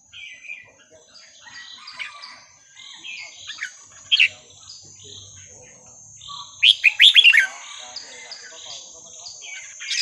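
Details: Burmese song of a red-whiskered bulbul, meant for teaching young birds: scattered soft whistles, then a loud chattering warble, all under a constant high-pitched buzz.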